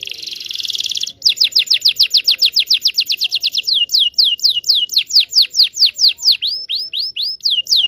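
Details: Canary in long song used for training young canaries: a dense buzzy trill, then a long run of quick downward-sweeping whistled notes, spacing widening as the phrase continues.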